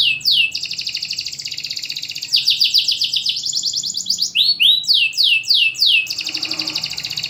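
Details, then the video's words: Caged champion canary, used as a lure to prompt lazy canaries to sing, with a loud, tightly spaced song: long buzzy rattling trills, a pair of quick swooping notes, then more falling rolls and a final fast trill. "PANCINGAN KENARI MACET || JEDA RAPET || SUARA LANTANG || SUARA ASLI KENARI JUARA."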